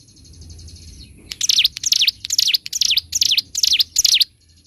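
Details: Bar-winged prinia (ciblek gunung) recorded for training birds: a faint high buzzy trill, then a burst of loud sharp chipping notes in quick succession, each swooping down and up, ending abruptly.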